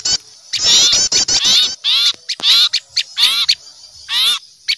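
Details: Small birds raising a noisy alarm on seeing an owl, recorded as a lure for wild birds: bursts of harsh, rasping, high chattering notes with short gaps between, in quiet surroundings.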